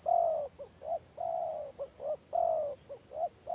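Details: Spotted dove of the village type, 'gagap' stuttering coo from a Gelang Patah contest: long falling coos alternating with short clipped notes, over a steady high-pitched hum.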